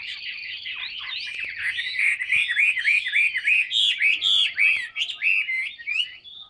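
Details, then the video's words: Large, tamed Chinese hwamei in a cage delivering a long energetic song of repeated swooping whistles at a brisk, fairly steady rhythm, ending in quieter phrases. "HM 269 bộ to thuần đét hót rất nhiều"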